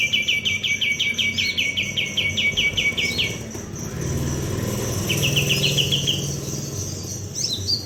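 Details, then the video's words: White-eye (kapas tembak) sung as a tutor for training other birds: a rapid run of high, evenly spaced chirps, then a stretch of broadband noise before shorter chirping bursts and a few high twitters resume. "Kapas tembak Gacor tanpa hopp. Cocok buat masteran"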